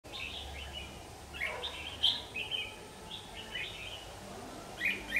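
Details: Red-whiskered bulbul fighting song, recorded with an AX40 4K camera: short warbled, slurred phrases in bursts, with a few brighter notes near the end, over steady low background hiss.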